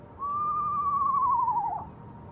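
An Eastern screech owl gives one long, clear whistle that slowly drops in pitch and breaks into a quavering tremolo at the end, over a quiet low hum.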